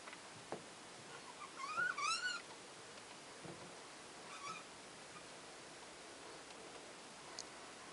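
A budgerigar gives a wavering, warbled call that rises and dips, followed by a brief softer chirp.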